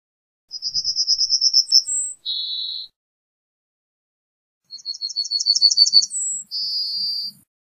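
A yellowhammer sings two phrases, each a quick run of a dozen high, thin repeated notes ending in a brief higher note and a longer, lower drawn-out wheeze.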